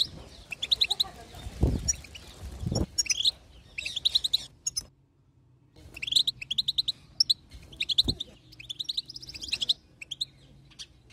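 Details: Female European goldfinch chatter, used to prompt a male to sing; bursts of quick high twittering notes with pauses, a near-silent gap midway, and a few low thumps.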